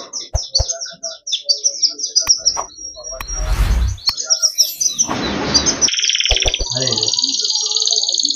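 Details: Yellow canary singing a fast, varied song of high chirps and repeated notes. It moves into rolling trills and ends in a sustained, rapid high trill, with a couple of bursts of broadband noise in the middle.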